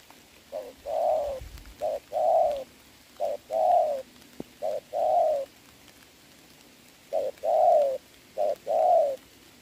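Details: Trained decoy spotted dove cooing in rain to draw a wild dove, 26 November 2022. Paired coos, a short note then a longer one, in two bursts separated by a few seconds' pause. A low thump comes early on.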